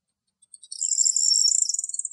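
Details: Corn bunting singing in Greek nature: one high, dry jangling song starting with a few separate ticks, then a fast glittering rattle of metallic notes, with no other sounds.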